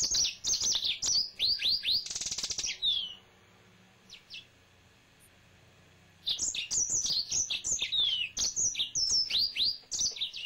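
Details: Male yellow-fronted canary kept as a pet sings bursts of high, fast twittering notes with quick down-slurred whistles, pausing about three seconds midway before resuming the rapid chattering phrases.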